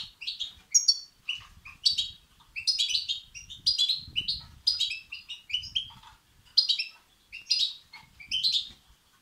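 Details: European goldfinch chicks calling to be fed, used to stimulate males; high, bright, chattering bursts repeat about once a second, irregularly spaced, over nine seconds.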